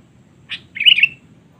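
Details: Sooty-headed bulbul 'cengkram' lure call used to draw rivals: a single brief note, a short pause, then a warbling, harsh chatter that trails off quickly.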